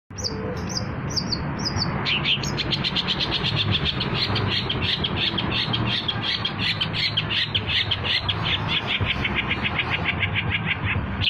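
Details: Long-tailed shrike lure song for trapping: several high paired whistles at first, then a long rapid run of scratchy repeated notes, roughly three per second, over a constant low rumbling background noise.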